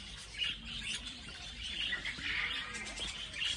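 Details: Budgerigars in a flock inside a walk-in aviary at a children's zoo in Yokohama, Japan, giving many overlapping high chirps and warbles, a continuous busy chatter with brief louder squeaks about every second.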